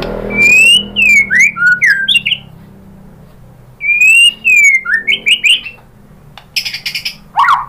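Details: White-rumped shama giving two matching phrases of long whistled notes followed by quick falling slurs, separated by a quiet gap, with a soft rasp near the end.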